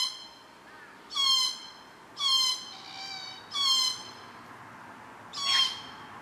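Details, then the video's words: At a Cootharaba feeding ground among Casuarinas, visited June to September, glossy black cockatoos give four nasal, slightly falling wheezing calls spaced roughly a second apart, the last one harsher. "Glossy Black Cockatoos at Cootharaba"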